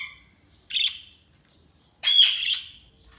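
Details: Budgerigars chirping: two rough, warbling bursts of chatter about a second apart, the second louder and longer, fading out with a buzzy tail, over a quiet background.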